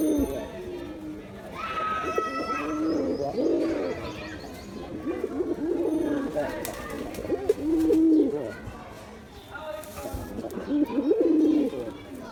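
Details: Male Giribuz pigeon in performance, cooing in deep, bubbling rolls that rise and fade across the recording, with scattered voices and background activity.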